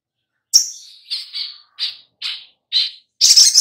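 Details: Little spiderhunter (sogok ontong) lure sound for prompting birds to reply. A sharp high note slides down into a soft tail. A string of short, evenly spaced, slightly buzzy notes follows, ending in a harsh, loud, noisy burst.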